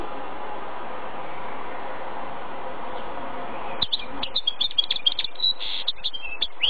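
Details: Goldfinch-canary hybrid male breaking into a fast, high, scratchy twittering song of tightly packed chirps and trills for about three seconds, heard over a constant low hum.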